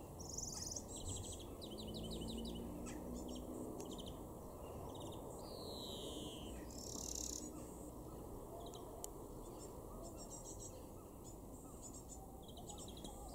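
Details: European greenfinch in a garden in Weener, East Frisia, northwest Germany, in June 2021: rapid high twittering trills and chirps with a drawn-out, buzzy descending wheeze, over a steady low rumble of wind or distant traffic.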